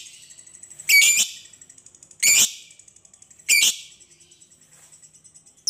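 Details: Lovebird sounds used to lure lovebirds into singing: three harsh, loud buzzy squawks roughly every 1.3 seconds, with faint soft high ticking in between.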